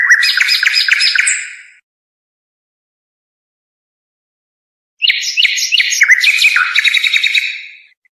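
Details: European goldfinch song for teaching young birds: rapid twittering chirps for under two seconds, silence, then a dense, tinkling phrase of trills and buzzy notes lasting about three seconds.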